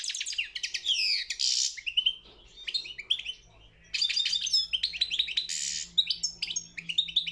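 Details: European goldfinch at a world singing championship, giving bursts of sharp twitters, a harsh buzzy note and descending sweet chirps, with a quiet interlude before another rapid phrase.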